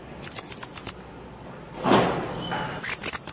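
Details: Blue-crowned hanging parrot calling to attract other birds for trapping: a quick run of sharp, high trilled notes, then a brief rustling noise and a faint whistle, before the shrill notes resume.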